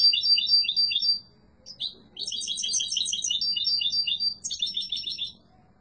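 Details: Strong song from a yellow mutation European goldfinch: a high liquid twitter, a short pause, then a long run of rapid tinkling notes and buzzy trills that runs almost continuously to the end.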